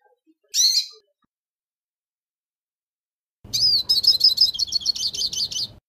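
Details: Hooded siskin metallic song used for song-tutoring: a brief high twitter, then a rapid run of bright, metallic, buzzy trills and chirps, high-pitched and continuous for about two seconds.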